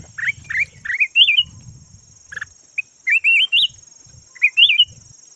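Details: Red-whiskered bulbul used as a decoy bird, local name chào mào vàng, giving repeated bouncy whistled phrases of rising and falling notes in short bursts, with pauses between, a faint low rumble and a steady high-pitched hum.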